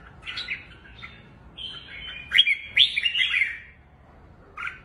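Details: Red-whiskered bulbul, a kept bird, very aggressive, hopping along its perch and fanning its wings while singing in an overpowering style; bright warbled phrases rise into a loud, rich burst midway, then a short closing note.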